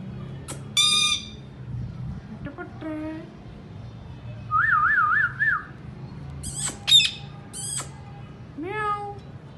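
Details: Talking Indian ringneck parrots chirping naturally: sharp harsh screeches, falling harmonic whistles and a quick wavering trilled whistle in the middle. The calls are irregular, with a low hum underneath.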